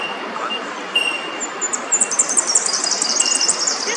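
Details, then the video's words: A fairywren in Sydney gives a very high, rapid reeling trill of thin, tinkling notes over steady background hiss, with a faint level whistle earlier. "Fairy Wren | Little Birds | Birds Sound"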